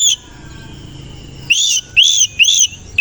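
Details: Morning song from an Oriental magpie-robin, koci type, displaying with its tail open. Three bright, arched whistles follow one another about half a second apart, each rich and ringing over a low background hum.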